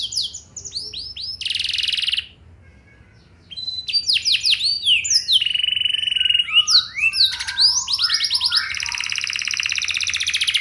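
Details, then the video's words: Canary singing to prompt other canaries to answer, a varied mix of chirps, steady buzzy notes and sweeping whistles, broken by a silent gap near three seconds, then denser mixed phrases. "Burung Kenari Lain Bakal Langsung Nyaut! Pancingan Burung Kenari Lagu Mewah Cengkok Joss"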